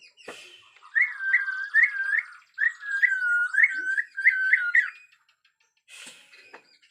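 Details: Bornean white-rumped shama in an agitated mood, natural forest sound: rows of looping, rising whistled notes repeated rapidly in two runs, with short noisy bursts before and after.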